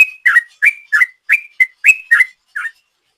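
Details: Sooty-headed bulbul singing in the long ropel style, used as a lure: short whistled notes around a steady pitch, alternating high, flat notes with lower, slurred ones, about four per second, fading at the end.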